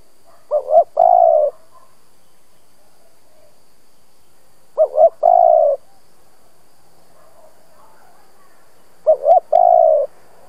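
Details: Spotted dove, an older decoy bird used to stimulate other doves to coo, gives three cooing phrases about four seconds apart, each of short mellow notes leading into a long, even, hollow coo.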